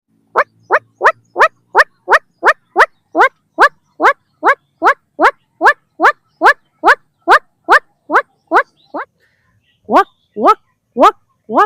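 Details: Many White-breasted Waterhens calling in jungle, drawn close after a person began calling to them. A rapid series of rising nasal croaking notes comes about two and a half per second, then breaks off briefly and resumes more slowly.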